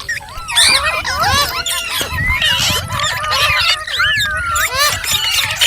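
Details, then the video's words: Several pet green Indian ringneck parakeets (mitthu), said to be fighting and angry, chatter together in a constant overlapping stream of shrill squawks and quick rising-and-falling whistles over a low rumble. "Green Parrot Chirping Sounds /Voice | Mitthu Ki Awaaz"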